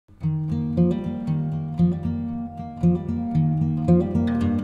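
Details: Plucked acoustic guitar music with strummed chords about once a second is the only sound heard.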